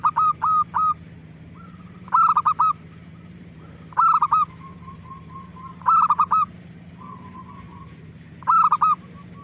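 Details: Lively zebra dove song meant to prompt other doves to call back; phrases of three or four sharp staccato coos repeat about every two seconds, with softer trailing notes between and a steady low hum.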